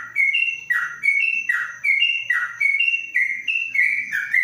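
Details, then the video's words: Yellow-vented bulbul kept in a covered cage repeats a long ropelan phrase, a bright rising whistle followed by a lower slurred note, over and over about seventy times a minute. "Trucuk Ropelan Panjang dalam krojong"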